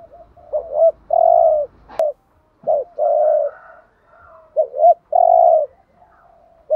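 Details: Decoy spotted dove giving urging coos meant to stimulate other doves: three phrases, each a quick two-part note followed by a long husky coo, repeated about every two seconds, with one sharp click early on.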